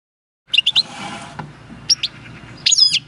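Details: European goldfinch caught in the wild at El Paso in 2018, recorded 22 March 2020 singing its own field-learned song: a few high chirps, a short buzzy rasp, then a fast twittering burst after a pause.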